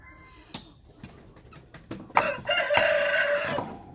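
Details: Wild chicken crowing amid scattered clicks and knocks: a single strong, sustained crow of about a second and a half rises out of the background clatter.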